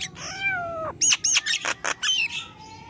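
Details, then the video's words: Nias hill myna gives a long downslurred whistle, then a quick series of five harsh, loud squawking bursts and a final thin rising whistle. "Jalak nias gacor"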